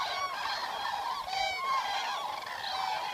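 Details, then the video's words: Several wild common cranes call together in a dense chorus of harsh, rolling, trumpeting notes, with one louder rattling call partway through. Recorded during a night in the wild. "Eurasian Cranes Sound Library"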